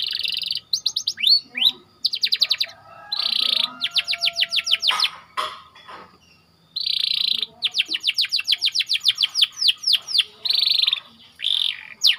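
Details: White canary in tight rolling song for tutoring young canaries, alternating thick buzzy bursts with long rattling trills of rapid downswept notes, separated by brief pauses and repeated across the phrase.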